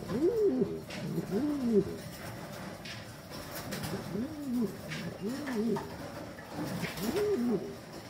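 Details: Contest-quality fancy pigeons at a breeding loft in Lawang, Malang, cooing indoors: a run of about six low, rolling coo phrases, each swelling then dipping, spaced roughly one to one and a half seconds apart, with faint room noise behind.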